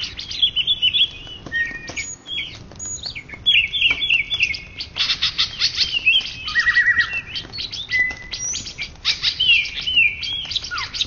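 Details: Indonesian champion greater green leafbird of 2013–2014 delivers a long, busy song of fast chirps, whistled slides and a low buzzy trill, the phrases rarely pausing and ending with a falling note.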